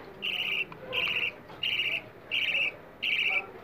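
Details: Budgie chicks begging to be fed, a recording meant to encourage breeding pairs to mate: five even, harsh buzzing notes, each about half a second long, spaced steadily about every 0.7 seconds.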